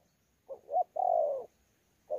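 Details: A single challenge phrase from a wild-caught thổ pha spotted dove at Sa Thầy, 26 November 2019: a soft short note, a rising hoot, then one long mellow coo, with the next note starting at the end.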